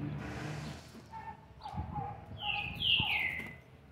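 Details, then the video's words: Young green-winged saltator, seven months and 20 days old, recorded 13/11/2020: after soft low notes, loud clear whistled phrases slide downward from high to mid pitch in the second half over a faint background murmur. "trinca ferro ( BRABO ) FILHOTE DE SETE MESES E 20 DIAS JÁ MOSTRANDO SUA GENÉTICA"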